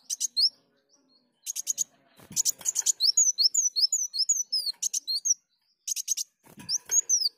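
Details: Kolibri daun, or sunbird, singing as a lure: scratchy buzzy bursts mixed with quick, high, slurred whistles, delivered in uneven phrases with brief low thumps.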